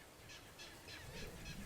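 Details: Clapper rail in a salt marsh full of fiddler crabs gives a dry, harsh clattering series of about three rough notes a second over a low rumble of wind.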